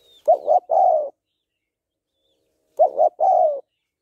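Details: Spotted dove female calling a male, two cooing phrases separated by a pause, each opening with two short hollow notes and ending in a longer, slightly descending coo.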